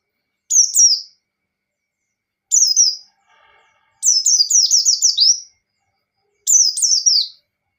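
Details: White-eye singing in ngalas style to provoke a rival: short high downslurred phrases, then a longer rippling string of quick sliding whistles lasting over a second, and another short phrase at the end.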